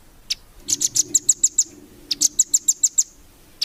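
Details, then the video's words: Velvet-fronted nuthatch used as a training song for champion birds: two rapid trilled runs of high, sharp notes, each about eight notes long, bracketed by single chips, with a low hum. "MASTERAN RAMBATAN FULL BESET 2025 COCOK BUAT BURUNG JUARA"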